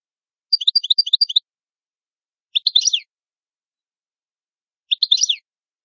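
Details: European goldfinch, Italian cardellino, uttering a short series of rapid paired chirps, then two separate scratchy twittering bursts spaced about two and a half seconds apart.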